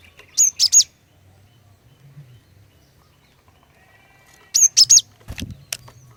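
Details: Cinereous tit female, used to provoke males into singing, gives two clusters of three shrill high notes about four seconds apart over a low rumbling hum and a thud.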